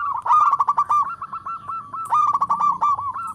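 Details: Loud, energetic song of a local zebra dove calling in all directions: a continuous string of quick, rolling coo pulses, steady in pitch, with two stronger bursts at the start and near the end.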